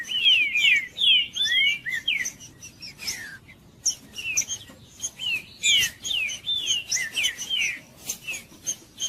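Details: Green-winged saltator, of interest to breeders who enter song tournaments, sings loudly to warm up a cold bird: quick series of looping whistled downslurs, a short pause, then further clear whistled phrases.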